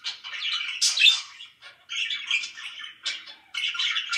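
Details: Loud pet budgies chattering in quick scratchy warbles and squeaky chirps, three rushed bursts separated by brief gaps.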